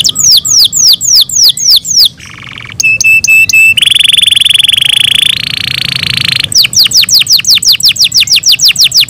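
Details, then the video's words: Captive canary (Serinus canaria) singing in the morning, rapid high tours: fast repeated descending chips, a buzzy rattle, and long steady whistled trills, loud and bright throughout. "MORNING SONGS OF CANARIES IN THE MORNING"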